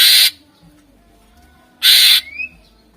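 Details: Greater green leafbird (cucak ijo) in lively 'gacor' song for luring contest birds: two loud, harsh, hissing bursts about 1.5 seconds apart, the second trailing into a short rising whistle.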